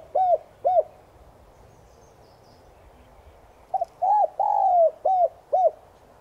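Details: Spotted dove used as a lure, subspecies tigrina, morning calling song in the "Son" voice style; two lone short coos, a pause, then a full phrase with a long falling coo and short endings.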